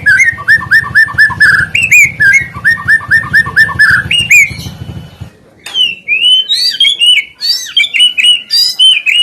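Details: White-rumped shama song used for luring other birds into song: steady runs of short whistled notes repeated in even phrases, then a break and a more varied, higher warbling passage with sharp upslurs.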